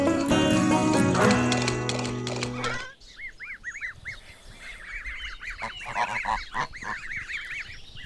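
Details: Gosling giving rapid, high arched peeping calls in quick, fairly regular series, following an opening stretch of loud music.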